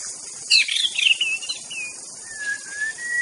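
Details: White-rumped shama singing in the wild: a few bright whistled notes sliding and wavering between mid and high pitch, then a long, thin level whistle, over a steady high insect drone.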